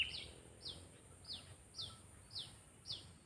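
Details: Kutilang, the sooty-headed bulbul, under training to serve as a lure bird, uttering quick high notes that slide downward, six in a row roughly every half second, with low hiss and faint rumble behind.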